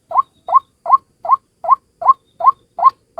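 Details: Single white-breasted waterhen in a lure recording used to attract the species: short rising nasal notes near one pitch, repeated steadily about two and a half times per second, with no other sounds.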